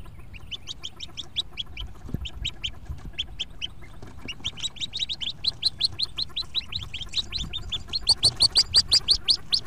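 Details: Hooded Merganser ducklings in a nest box on April 2, 2014, the day fourteen hatchlings jumped out, giving high, thin peeps in rapid series, pausing briefly, then building into a louder, denser run near the end.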